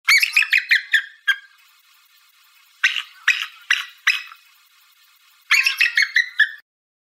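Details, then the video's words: A Bald eagle gives three bursts of thin, squeaky piping notes, each a quick chattering run that slides slightly downward, with pauses between. "Bald Eagle Call"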